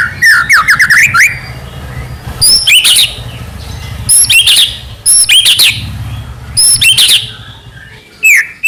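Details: White-rumped shama full song used to provoke other shamas: a rapid trill of rising whistles, then repeated harsh chattering bursts mixed with sharp whistled notes over a low constant hum.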